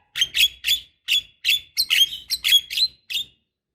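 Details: Javan myna, female calling to a male, used as a lure: a quick series of about a dozen harsh, buzzy squawks, spaced unevenly and sometimes paired, each with a short ringing tail.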